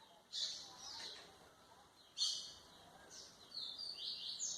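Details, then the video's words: White-throated seedeater song for training young birds: short high bursts of twittering notes separated by pauses, ending with a few thin, slurred whistles. "canto de golinha para foquear pássaros"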